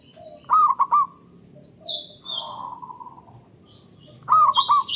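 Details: Zebra dove of local stock singing a long, loud lure song meant to make other doves sing: a quick bubbling triple coo, a drawn-out hollow note, then another bubbling coo, with high thin whistles above.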